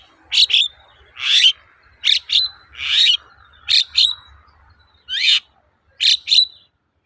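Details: Long-tailed shrike lure song for making birds sing: paired sharp ticks alternating with longer rasping, noisy notes, irregular, about every second.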